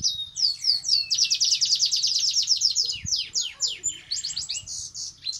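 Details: Red siskin in breeding condition sings in the ngerek style: a rapid, dense chatter of high descending notes repeated about twice a second, with twittering flourishes and a brief rattle near the end, over a faint low hum.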